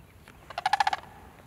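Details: A sandhill crane, an apparent winter visitor to a park in Lancaster County, Pennsylvania, gives a brief rolling rattle of about six quick, throaty pulses at mid pitch, lasting under half a second, over a quiet background.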